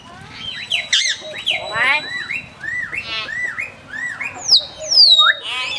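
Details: ['Common hill myna kept at Phnom Tamao Zoo, Cambodia, known there for speaking, gives a rapid string of varied sounds: nasal buzzy syllables, rising slurred notes and falling high whistles, almost without pause.']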